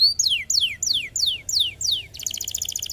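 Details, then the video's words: Canary singing to spur other canaries into song: six clear high whistles falling steeply, spaced about three per second, followed by a rapid, dense, buzzy trill. "lindo canário! estimular muito rapidamente o som de canários preguiçosos"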